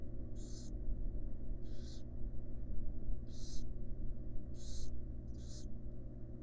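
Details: Wild barn owl mother resting beside her chicks in a monitored nest box; five harsh, breathy hissing bursts, each about a third of a second, at uneven intervals over a steady low electrical hum.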